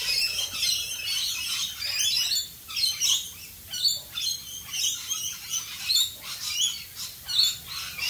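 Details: Rainbow lorikeets calling in the rain in Australia, a steady run of sharp screechy chirps roughly every second amid overlapping flock chatter, with a background hiss of rain.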